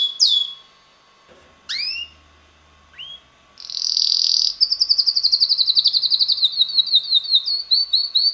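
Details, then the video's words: Six-month-old red male canary singing indoors: a few scattered sliding whistles with quiet gaps and soft background bumps, then a loud buzzy trill leading into a fast run of repeated chirping notes. "red canary bird singing - roter singender Kanarienvogel"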